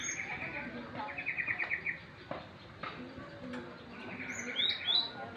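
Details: Young kept Java sparrow, plumage still partly green, utters quick high tweets and rising chirps, clustering near the end, amid a low hum, soft knocks and brief buzzy background notes.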